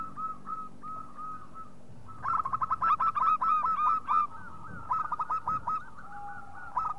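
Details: A local zebra dove used as a lure call gives two bursts of quick, stuttering cooing notes, several per second, preceded by a faint steady whistle-like tone.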